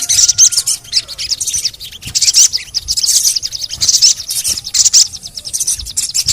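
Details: ['Ruby-cheeked sunbird, locally sogon, in a lure recording for reluctant birds: fast continuous high twittering and chirp bursts, with a faint low whistle at the start.']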